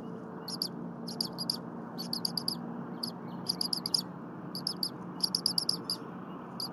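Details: Eaglet on the Berry College nest chirping incessantly at 8:00 AM while the mother defurs frozen leftover prey. Quick high-pitched chirps in clusters of two to five, set against a steady low rumble.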